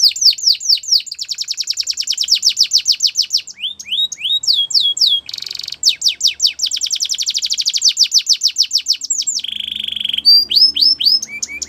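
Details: Training song of a Russian canary: long runs of rapid downward-sweeping notes, short rising whistles between them, a brief pause, then a lower buzzy roll and scattered sharp chirps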